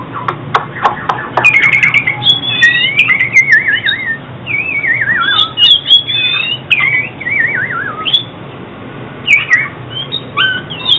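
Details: Oriental magpie-robin singing, recording meant for trapping and training birds to sing: rich continuous stream of loud whistles, quick zigzag warbles and rising slurs, opening with sharp clicking notes, steady low hum underneath.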